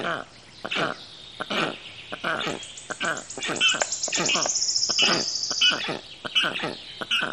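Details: Several black storks give rough, hoarse, wheezing bursts in an uneven series, about one per second. A high, faint descending whistled line runs across the middle of the sequence.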